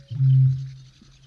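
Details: Eurasian bittern in the UK giving one far-carrying low boom, a resonant foghorn-like note of under half a second, with faint songbird calls in the background.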